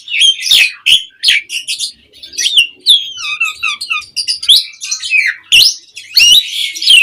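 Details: Lure song of an Asian pied starling in the pumping mompa manner: rapid, sharply rising and falling chirps and whistles, a short series of low soft notes midway, and crackling chatter throughout.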